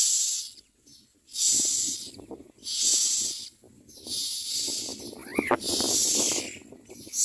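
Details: Young common mynas begging loudly for food as they are fed: long rasping, hissy screams repeated about every one and a half seconds, a brief rising-falling whistle in the middle, and low rustling.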